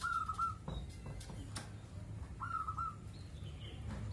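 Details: Zebra dove singing at length, kept at a house as a guard: two quick trilled cooing phrases about two and a half seconds apart, with a few clicks and a low continuous hum behind.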